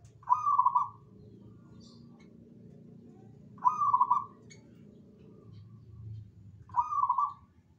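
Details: Zebra dove singing: three bubbly, rolling cooing phrases, each under a second long and evenly pitched, repeated about every three seconds over a low background rumble.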